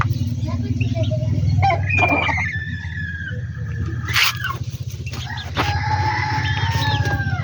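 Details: Backyard poultry: a chicken gives a harmonic, drawn-out call with a level tone near the middle, followed by more squawking calls near the end, over a steady low engine-like hum and brief noise bursts.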